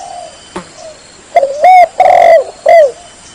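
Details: Spotted dove calling to lure rival birds: a faint low coo, then three loud, clipped coos in a close series, the middle note longest, each with a slight upward inflection.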